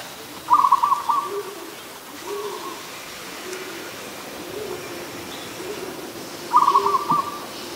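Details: Adult zebra dove recorded 24 December 2020 in Ubon Ratchathani, Thailand, giving two fast rolling staccato coo phrases, while low, soft, drawn-out coos from another bird repeat steadily underneath.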